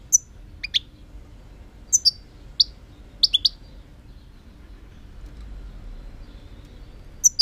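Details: Goldfinch song given as sparse, sharp high notes in ones and twos. The notes are spaced a second or so apart, with quiet gaps between them and low background noise.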